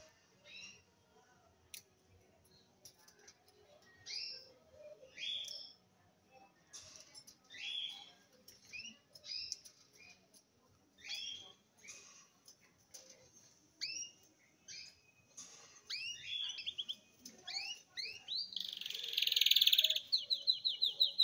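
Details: Red siskin (Spinus cucullatus), a cinnamon-coloured youngster eight months old beginning to sing, tries out subsong with scattered high twitters, a buzzy burst and a quick trill.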